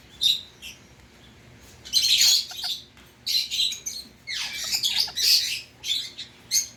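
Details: Pet Indian ringneck parakeet giving harsh, noisy squawks in short bursts, with loud screeches near two and five seconds and quieter chirps between.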